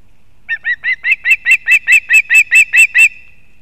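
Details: At a nest in Kurzeme, Latvia, on 31 August 2024, a female osprey brings fish for her chick. About thirteen loud, clear chirping whistles follow in a brisk, even series, then stop abruptly.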